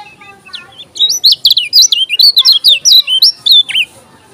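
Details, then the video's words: Lombok yellow-crowned bulbul in full song: a loud, fast burst of about a dozen sharp, high whistled notes, each swooping up and down, delivered in quick succession over three seconds. "KECIAL KUNING TAK PUNYA NAMA, JOSS NGAMUK‼️"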